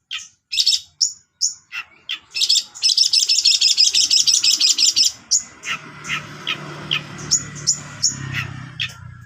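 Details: Long-tailed shrike singing energetically, its song filled with imitations of sparrow calls and cililin. Very high, sharp chips and trills come in rapid bursts, then a dense run of rattling notes, followed by scattered chirps over a low hum.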